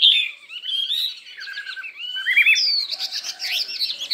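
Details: Contest-singing Chinese hwamei with varied voices: a long sweeping whistle that wavers and drifts, then a jump to higher, rapid warbled notes tumbling in quick succession.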